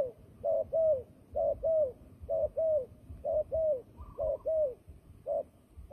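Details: Fighting turtle dove, a recording used as a trapping lure, gives rhythmic doubled coos, a short note then a longer downslurred one, about once a second, with low background rumble and a faint higher note once.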